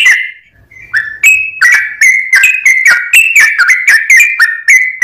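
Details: Used as a lure, a sooty-headed bulbul gives ringing whistled notes, some sliding up, others dropping, in a lively irregular sequence after a quiet start.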